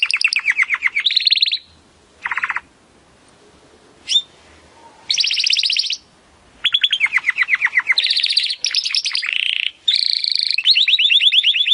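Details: Timbrado canary in training audio to improve canary song: bursts of rapid rolling trills and buzzy high tours separated by pauses, with one short sharp whistle between phrases.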